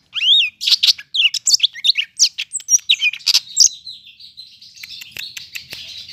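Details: Greater green leafbird from Medan with a dense, filled-in song recorded in Bandung on Monday 5 September: rapid varied chirps, slurred whistles and buzzy notes at high pitch, packed closely, fading into a softer, noisy chatter toward the end.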